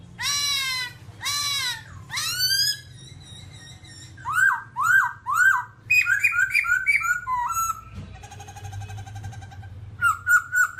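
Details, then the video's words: Black babbler of the family Timaliidae in a varied song: rich harmonic downslurs, a series of rising whistled notes, rapid stepped phrases, a buzzy trill, then clear whistles again, over low steady hum. "birds Timaliidae singing"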